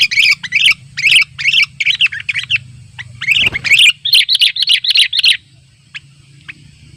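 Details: Sooty-headed bulbul in the wild, calling to rivals near a simple trap: bursts of bright, bubbly chirped notes repeated in quick succession, a short pause midway, then a denser run of chirps before fading to faint background.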